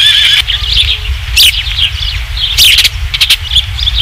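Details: Ospreys calling at a ranch nest during the evening third fish delivery, 27 July 2016, nest camera: sharp piping chirps, some rising and falling, repeated in quick runs amid gusty crackling noise and a constant low hum.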